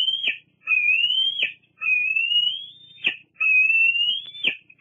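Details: Bald eagle at Fraser Point, recorded on 8 August 2022 while repeatedly squeeing at its mother. Three long, steady, piercing whistled squeals rise slightly and end in harsh clicks.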